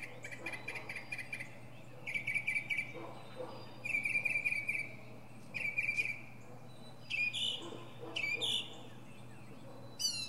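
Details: Singing from the top of a pine, a northern mockingbird alternates bursts of rapid buzzy repeated notes with louder sweeping chirps, phrases of about a second each, changing type every few repeats.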